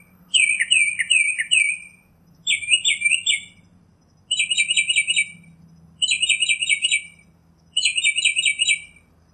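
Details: Northern mockingbird song made of five bursts of rapid, trilled high notes, each burst lasting about a second and spaced roughly two seconds apart, the first longest.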